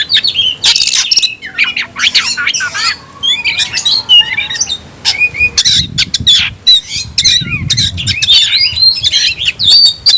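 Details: Captive oriental magpie-robin performing the new 'tayoraky' song variant. Ten seconds of dense, rambling song mix scratchy bursts, high whistles and chattering trills. Faint low rumbling sits underneath.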